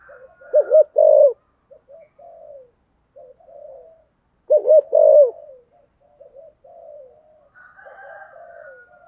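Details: Decoy spotted dove cooing in the 'thúc gù' 'giọng thổ' style: two loud groups of deep, rounded coos about four seconds apart, each followed by softer trailing coos, and a faint higher whistle near the end.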